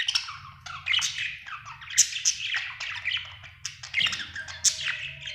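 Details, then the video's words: Contented budgerigar chirping steadily, a busy mix of high squeaks, whistled notes and buzzy chatter over a faint low hum. "Happy budgie chirping sound"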